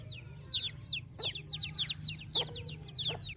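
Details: Chicks in a village morning chirp loudly, a dense run of shrill descending peeps repeated several times a second, with brief lower notes and faint low background hum.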